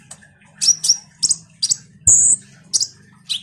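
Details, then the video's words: Common iora in lively song, used as a lure to provoke other songbirds into answering: sharp high chirps, then a sustained thin whistled note near the middle, then further chips, with a steady low background hum. "suara PANCINGAN KONIN GACOR NGOBRA"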